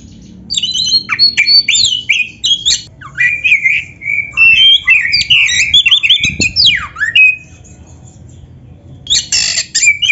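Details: Oriental magpie-robin in full, varied song, played to provoke other magpie-robins into singing: dense bursts of shrill, high whistles, harsh squawks and rapid chirps in long runs, over steady low background noise.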